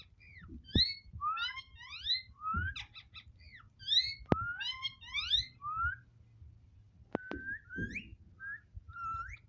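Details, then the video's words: Ringneck parrot talking indoors in a small room: rapid clusters of high, bending harmonic syllables and short whistles, with occasional knocks and a low background hum. "Talking parrot so cute"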